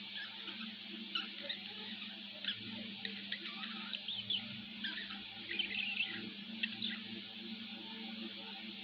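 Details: Pet budgerigar chattering continuously with rapid high warbles, clicks and short squeaky notes, over a steady low hum.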